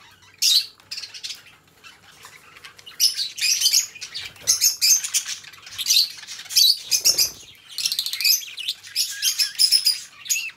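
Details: Pet budgerigars, a pair of companion birds indoors, chattering in stuttering bursts of scratchy clicks and high squeaky whistles, with brief quiet gaps and a faint soft rustle midway.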